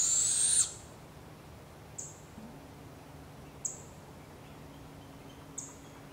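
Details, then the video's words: Barred owl and her babies, wild in Canada; a loud rasping hiss at the start, then three short sharp high chips spaced over a second apart, with a faint low hum. "Barred Owl and her babies"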